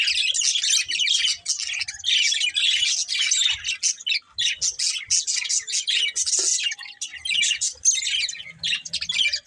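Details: Budgies chirping and squawking in a continuous buzzy warble, sharp clicks and short breaks scattered through, a faint low hum near the end.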